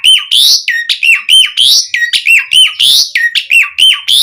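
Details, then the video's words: Asian pied starling (jalak suren) song meant to provoke other starlings into singing: loud, fast phrases of sharp whistles and harsh rising notes, each repeated about every half second with clear gaps. "Suara Jalak Suren Langsung NYAUT buat Pancingan Mendongkrak Emosi Burung Jalak Agar Gacor Full Isian"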